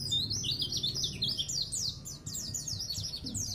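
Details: Oriental white-eye, described as a neighbourhood-level champion songbird, giving a fast, continuous twittering song of high, sharply sliding chirps, about four notes per second, over a low background rumble.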